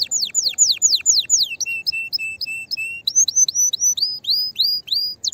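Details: Excited canary song meant to stimulate other canaries to sing, with loud downward-sweeping whistles, a run of short repeated chips, then rising whistled notes repeated about every half second.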